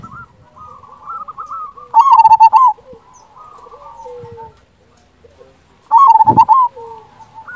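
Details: Local Indonesian zebra dove in full, strong-voiced song: two loud, fast stuttering coo bursts about four seconds apart, with softer quavering coos from a second dove in between.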